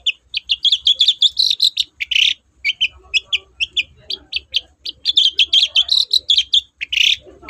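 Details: Long-tailed shrike singing vigorously, used as a lure to make reluctant shrikes sing: a rapid, continuous stream of high, scratchy chirps and twitters with a few harsher bursts, with only brief pauses.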